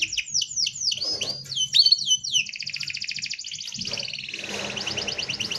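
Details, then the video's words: Canary singing a dense rolling song for tutoring: quick downward swept whistles, then a long rapid buzzy trill that fades into faint background noise. "BURUNG KENARI ⁉️ SUAra NGEROL PADAT COCOK UNtuk Masteran"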